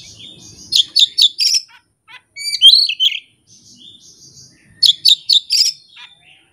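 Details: Oriental magpie-robin, a kept songbird showing its learned isian with no tutor or opponent: a fast run of four sharp chirps, a loud twisting warbled phrase, soft whistles, then another four-chirp run.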